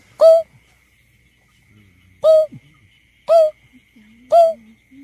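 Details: Hooting of a greater painted-snipe, played as a survey lure: one hoot, a pause of about two seconds, then three more at one-second intervals, each short and slightly falling, followed by a faint low sustained tone.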